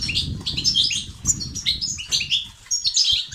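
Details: European goldfinch song in the styles called بتبتة and ستستات, used to stimulate males to sing. Rapid, tinkling, high twittering phrases with fast trills, over a low rumbling background with soft fluttering.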